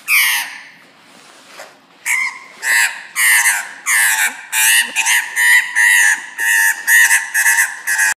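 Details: A pet Australian magpie attacking its owner's shoe gives a rapid run of harsh, grating squawks, about two each second, after a short opening burst.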